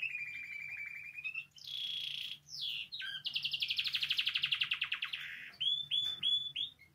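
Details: Singing Spanish timbrado canary, recorded as a song-learning model: a steady whistled tone, then a higher sustained note, a long rapid metallic trill, and finally a few short separate upswept chirps.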